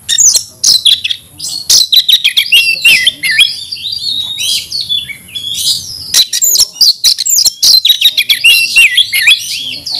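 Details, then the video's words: Kacer, the Oriental magpie-robin, kept as a songbird and singing aggressively as if to fight: rapid, loud strings of high sharp notes and slurred whistles, near-continuous with brief gaps. "kacer gacor tarung ngotot agresivitas"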